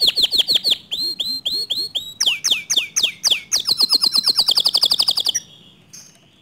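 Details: Canary song meant to trigger other canaries to sing: rapid phrases of repeated high notes, switching to sharp downslurred chips, then an accelerating trill that stops abruptly, with a faint note after.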